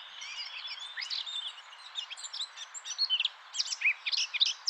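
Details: Eurasian blackcap song from a recording of almost 40 seconds: a jumbled, scratchy warble of rapid high notes, softer at first, then louder bursts of sharp chirps in the second half, with steady background hiss.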